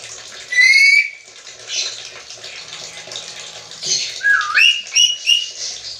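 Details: Black-capped lory, said to talk like a human: a loud rising whistled note early on, then a run of short bright whistled chirps and a dipping whistle near the end, over steady hissing background noise.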